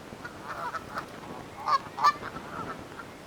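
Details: Territorial dispute among Canada geese in a forest, with a scatter of low nasal calls and two sharper, louder honks near the middle.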